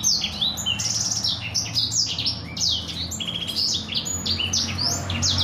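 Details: Black-throated canary master song for canaries to learn: dense, fast series of high downslurred notes and short rattling trills, unbroken throughout, with faint low hum beneath.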